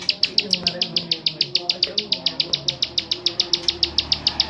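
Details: Steady ticking klik calls of a bar-winged prinia, Mojokerto: crisp high clicks at about three and a half per second throughout, with faint low murmurs in the background.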